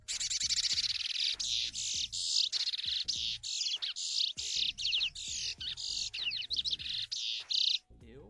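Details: Chestnut-bellied seed finch (Sporophila angolensis), song (serra mateira).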